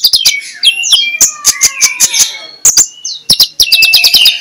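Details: Magpie-robin giving ngeplong-style morning song meant to lure idle birds into chattering; sharp clicks come about every quarter second among bright rising and falling whistles.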